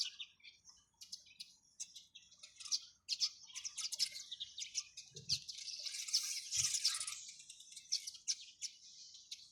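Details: Several sparrows chirp together, their dense, high-pitched twittering overlapping into a continuous chatter, with a couple of soft low knocks.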